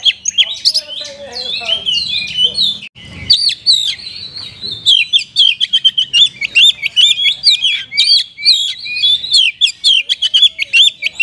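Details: Oriental magpie-robin singing hard with a richly varied song, aimed at waking sluggish caged birds. Busy stream of high whistles and chirps, briefly interrupted by a low thump near three seconds, then rapid staccato notes.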